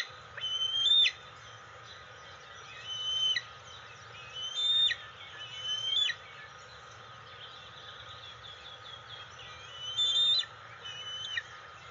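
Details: Twelve-week-old juvenile bald eagle, a fledgling nearly ready to leave the nest, perched on a ladder post in the nest attic at dawn on June 25, 2020, whining and throwing a tantrum for its mother nearby: thin, high, whistled squeals in short bursts every one to two seconds, some notes rising.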